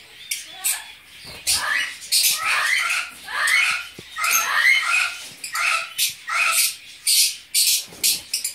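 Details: Captive breeding group of Fischer's lovebirds in mixed violet and blue colour forms, chattering loudly: shrill, squeaky calls in rapid overlapping bursts with sharp clicks between, continuous for several seconds.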